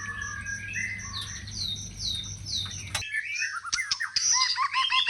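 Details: White-rumped shama singing: a varied run of clear whistled phrases, slurred rising and falling notes, then an abrupt cut to sharper, higher chattering notes and clicks; low steady hum beneath the first half.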